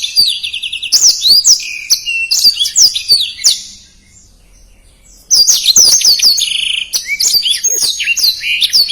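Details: Blackthroat singing a dense, fast-paced song with distinctive phrasing, offered as a tutor recording for contest birds: rapid high twittering trills and sweeping whistles, a quiet gap of about a second and a half midway, then another burst of chatter.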